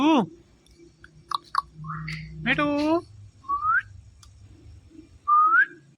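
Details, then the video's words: ['Indian ringneck parrot that is said to talk, here producing a falling harmonic squawk, a loud nasal harmonic call, and two clear rising whistles, with low background hum and faint clicks.'] "Parrot Talking Everything"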